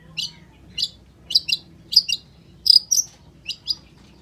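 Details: Long-tailed shrike giving paired sharp, high chirps, about eight short clusters spaced roughly half a second apart, clear over a quiet background.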